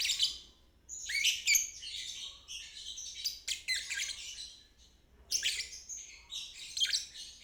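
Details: Lovebird trilling in the ngeriwik style for young or stuck birds to copy; sharp, squeaky high chatter in uneven phrases, with a quieter stretch near the middle before a loud burst resumes.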